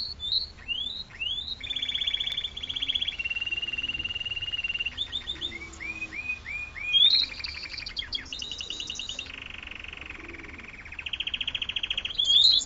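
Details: Spanish Timbrado canary singing in the classic style: metallic rolling trills, some long and flat, some rising in pitch, alternating with quick upward-swept notes and short bursts of repeated chips, with no other sounds.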